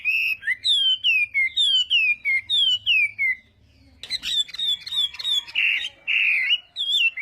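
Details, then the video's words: Chinese hwamei in fighting-style morning song for voice training: a steady series of clear descending whistled notes, about two per second, then a louder, harsher burst of mixed rapid phrases. "Hoạ Mi Hót Đấu /hoạ mi hót sáng luyện giọng kich bổi sổ giọng"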